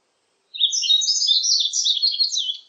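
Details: Yellow-throated bunting, 2020 National Institute of Biological Resources recording: a high-pitched, hurried warbling phrase of jumbled tinkling notes lasting about two seconds, clean with no background noise.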